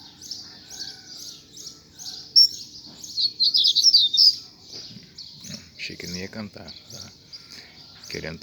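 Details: Double-collared seedeater (coleiro), a kept bird, after rain, being coaxed to sing: thin high chirps repeated several times a second, a brief bright twittering burst in the middle, then a man talking over softer chirps.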